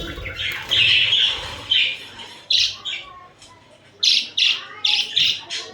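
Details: Pet budgerigars cuddling and fighting: a longer buzzy warble, then a series of sharp, clipped squawky chirps repeated roughly every half second.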